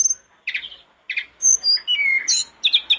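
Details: Sooty-headed bulbul in lively song used as a lure for other bulbuls: bubbly phrases of clear whistles and chirpy notes in quick bursts, mostly mid-to-high pitched, against a quiet background.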